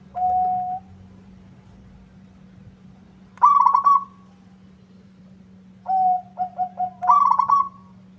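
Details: Zebra dove, local type, singing vigorously so a rival replies: a single held coo, a rolling trill, then a few short coos leading into another trill; pauses between, low hum throughout.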